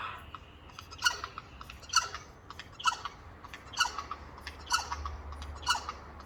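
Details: Four Eurasian jays in a noisy chorus on a windowsill give harsh, rasping screeches roughly once a second, a little irregular, over a low steady hum.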